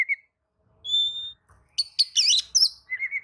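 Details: Oriental magpie-robin responding to another magpie-robin: a single long pure whistle, then harsh rasping notes and a short warbled phrase.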